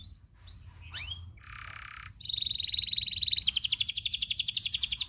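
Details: Local canary tutor song with long rolling trills: a few rising whistled notes, a brief buzzy burst, then a sustained rapid trill that shifts into a higher, pulsing roll.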